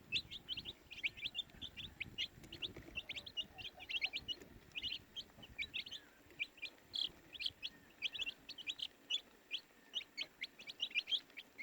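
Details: Baby chicks chirping steadily, a dense stream of short high peeping notes several per second, overlapping callers from several chicks, with faint low rumbling in the first half.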